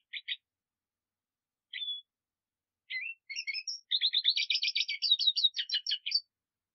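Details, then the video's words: Song of a Black siskin, opening with scattered chips and a brief thin whistle, then building into a fast, rising, buzzy twitter of repeated notes lasting over two seconds. "Negrillo Boliviano! Llamado! Sonido! Cantando! - Black Siskin Song - Spinus Atratus"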